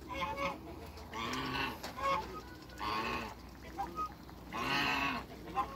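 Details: African and Toulouse geese, six birds kept on a farm, honk in a noisy, overlapping series of grating calls, roughly one burst per second, with quieter clucking notes between.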